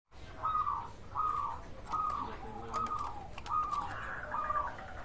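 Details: Local zebra dove with a big voice, used to stir silent or reluctant doves into singing: faint, repeated cooing phrases near one pitch, about six in five seconds, over a noisy indoor-sounding background with occasional clicks.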